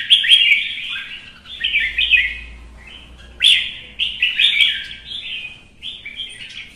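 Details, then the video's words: Red-whiskered bulbul in heated competitive singing delivers a string of loud, cheerful, bubbling warbled phrases, some with sharp emphatic starts, pausing briefly between groups. "CHÀO MÀO | Kè kích chim hót đấu kích ché căng lửa"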